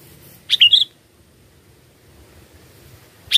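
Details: Sooty-headed bulbul singing, a recording played as a lure for bird trapping: one clear, quick burst of three or four sweet chirped notes, then silence, with another phrase just starting at the end.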